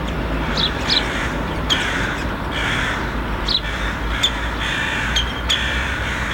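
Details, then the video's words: Begging Syrian woodpecker nestlings, three young of a pair nesting by the ministry of finance amid traffic, fed on food from nearby rose-garden trees. Repeated rough, hoarse chattering calls alternate with sharp clicks, over constant road noise. "Cheeky Woodpecker Chick"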